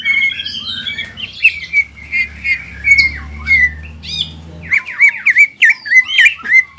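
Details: Greater green leafbird, emotionally roused, pouring out ngobra and jamtrok song: warbled whistles, then a fast string of sharp chirps near the end, over a steady low hum.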